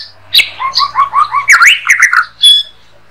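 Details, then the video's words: White-rumped shama master song for training songbirds. A run of five or six quick rising whistled notes, then a burst of harsher scratchy chatter and a final high clear note. "MURAI BATU HARIAN RECEH"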